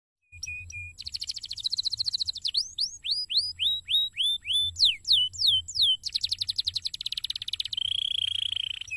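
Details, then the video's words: Canary singing in a cassava garden: a short steady whistle, then a fast buzzy trill, a run of upward-hooked whistled notes, sweeping downslurs, another rapid trill and a closing level whistled tone, all high-pitched with a faint low hum beneath. "BIKIN BURUNG KENARI NYAMAN DAN MAU BUNYI"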